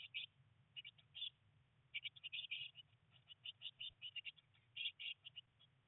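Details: Faint, high chirps from blue tit nestlings on day nineteen in the nest box, three chicks during rain and early flight attempts, come in uneven clusters of two to six notes over a soft low hum.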